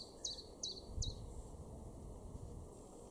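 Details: Common Chiffchaff in a garden in Weener, East Frisia, northwest Germany, in May: three loud, high, sharply dropping song notes about 0.4 seconds apart, then only low-pitched background noise.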